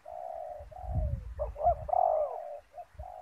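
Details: Spotted dove (Spilopelia chinensis) cooing, soft hollow low drawn-out notes broken by a brief rising flourish, over low rumbling handling noise; used as a decoy bird in ground trapping with snare nets.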